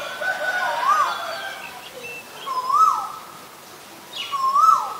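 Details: Asian koel calling with three rising whistled notes, each climbing and then dropping away, about every two seconds. Fainter chirps from other birds sound higher up.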